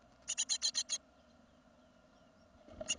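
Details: Great tit fledglings of a second brood, 2016: one burst of six rapid harsh notes, then quiet hiss, ending with a rustle and another rasping note.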